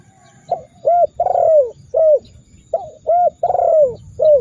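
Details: Spotted dove (tekukur) cooing, used as a training recording to make rival doves coo back fiercely: two phrases of short notes, each with a long, falling, drawn-out coo in the middle, over a low steady hum.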